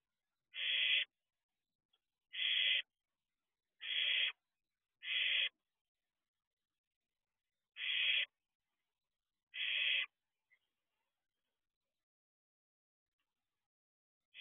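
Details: Barn owl owlet in a nest box at 4:31 am, peering outside. Six short, harsh hissing shrieks come in an uneven series, the first four closely spaced, then a gap and two more, with a long silent stretch at the end.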